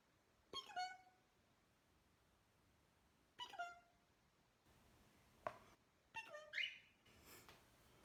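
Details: Pet cockatiel indoors during a game of peek-a-boo, giving short harmonic chirping calls in separate bursts, a few seconds apart, with small rustles and room noise between.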